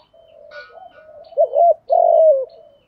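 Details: Lure call of a spotted dove meant to get new doves cooing quickly. Soft low murmured notes lead into a sharp wavering double hoot and then a long, slowly dropping coo.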